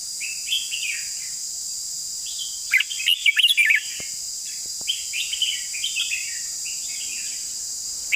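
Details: Red-whiskered bulbul in a long song, a loud cluster of quick whistled phrases followed by a lengthy run of softer warbled notes, a couple of clicks and a constant high hiss.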